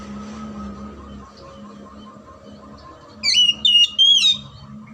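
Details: Oriental magpie-robin song meant to stimulate silent or lazy magpie-robins into singing: after a quiet stretch of low hum and background noise, three quick bright whistled bursts with sliding notes close the passage.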